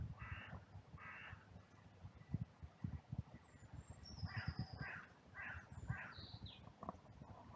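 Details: Crows calling in an oak grove in a cemetery during hand feeding; two harsh, hoarse caws, a pause, then a quicker run of four rough caws, with thin high whistles from other birds and rustling below.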